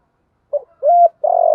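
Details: A decoy spotted dove, female, calls to attract doves. A soft short note is followed by a level hoot and the start of a rolling, vibrating coo, which is cut off. The surroundings are silent.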